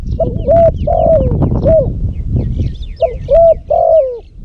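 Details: A spotted dove used as a lure bird in Cambodia, recorded in hot weather, gives low, hollow coos in two short phrases of three or four notes, the last note drawn out and falling, over a soft low rumble.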